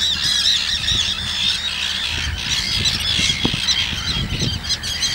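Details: Harsh, scratchy cries pour almost without pause from a group of common terns tending chicks a few days old in Gothenburg's archipelago, over steady low wind rumble.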